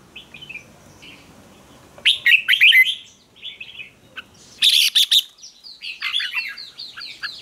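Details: Red-whiskered bulbul fighting song, used to stimulate and train birds to sing combatively: soft short warbles, then two loud bursts of rapid chattering notes, followed by a run of quick descending whistled notes.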